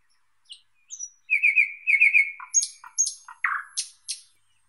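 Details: Thrush nightingale song in a quiet setting: a high whistle, a loud rolling trill, then sharp, spaced notes delivered in a measured, deliberate rhythm and ending with a downslurred burst.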